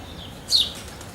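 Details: A house sparrow in the early morning gives a single quick, high chirp that rises and falls over a faint hiss of background noise.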